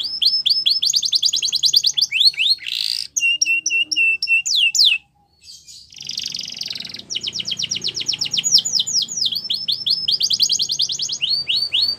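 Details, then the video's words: Canary singing long stretches of rapid trills and repeated whistled sweeps, with steady held whistles and a harsh buzzy burst, broken by a short pause midway. "The Most Beautiful Canary Singing"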